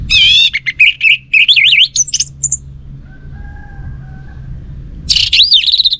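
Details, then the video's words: Kept orange-headed thrush in lively song: varied warbles and zigzagging whistles packed into two seconds, a quiet stretch with a faint steady tone, then another loud twisting warbled burst. "Burung ANIS MERAH Lansung Nyaut Gacor Tanpa Henti"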